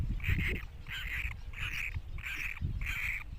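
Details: Five buzzy, nasal squeals from Great cormorant chicks, repeated at an even pace of about one every two thirds of a second, with faint low rumbling behind.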